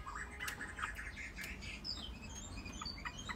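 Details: A tame captive Chinese hwamei sings a run of short chirps, harsh squawky notes and a few high clear whistles, over steady low background noise.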